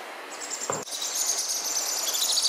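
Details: Hand-fed sun conure babies begging: a brief low burst, then a steady stream of shrill, fast-pulsed rasping chatter that carries through to the end.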